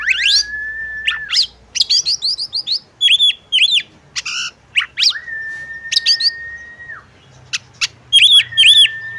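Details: Female oriental magpie-robin calling the male to start singing; long level whistles alternate with fast chirp bursts, buzzy rattles and ringing paired notes.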